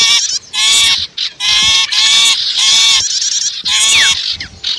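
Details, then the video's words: Wild-bird lure combining sipu and prenjak voices: loud grating buzzy phrases in steady succession, short pauses between them, with a few quick falling whistled notes. "Suara Ampuh Pikat Burung Kecil"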